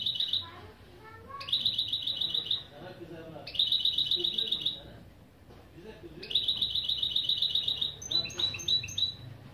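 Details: Goldfinch-canary mule delivering opening song phrases for a lesson: four fast, high trills in succession with brief pauses, the final one breaking into spaced, sharp whistled notes; faint lower chatter between phrases.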